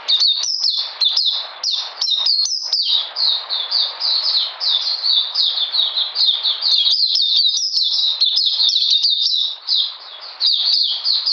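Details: Oriental magpie-robin singing in cold rainy weather, recorded 13 June 2020: an unbroken stream of fast, high, downslurred whistled notes, several per second, with a few brief pauses and no other clear sounds.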